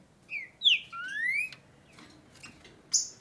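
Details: A green-winged saltator (Saltator similis) sings during tournament and breeding season, a rich phrase of clear, slurred whistles, several falling then one long rising note, followed by softer chips and a final bright note.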